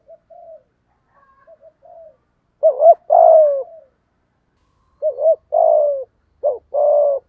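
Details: Spotted dove in 'giọng thổ' style, meant to spur wild doves into calling: a run of quiet soft coos, then three loud phrases of wavering double notes and long falling coos, the last cut short.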